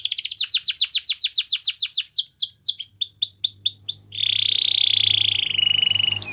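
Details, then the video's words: Gloster canary singing a training song: a fast run of repeated downward-sweeping notes, then buzzy rising phrases and a sustained rattling trill near the end, with a faint low hum beneath. "Gloster Canary Singing | Canary Training Song"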